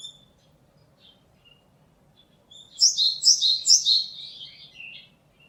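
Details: Japanese tit song, 27 March 2022: after quiet, a bright phrase of three or four repeated two-part notes, high then lower, delivered rapidly and trailing into a short lower note.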